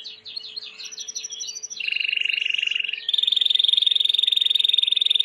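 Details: Singing white Timbrado canary, clean song meant for training: opens with quick warbled notes, then a long even rolled trill, then a higher, very rapid metallic roll held steadily to the end.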